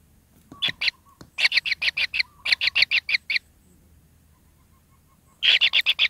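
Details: Kingfisher chicks in the nest, pin feathers just emerging and needing plenty of food, give bursts of fast, raspy chirps in quick series, separated by short silent gaps, with a faint low hum behind.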